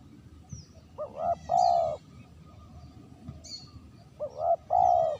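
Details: Clean spotted dove lure sound with two coos about three seconds apart. Each is a quick rising note followed by a fuller, sustained one, with faint high chirps of small birds behind.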